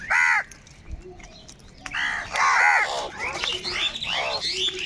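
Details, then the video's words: Crows of a big flock cawing, one loud harsh caw, a short gap with faint calls, then a run of overlapping raucous caws from several birds at once. "Kaka sound and noises of Crow birds | Huge numbers of crows crowing and crying sounds"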